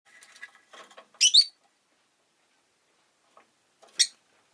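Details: Rosy-faced lovebird giving two loud, shrill, high chirps about three seconds apart, preceded by soft, scratchy chattering and rustling notes.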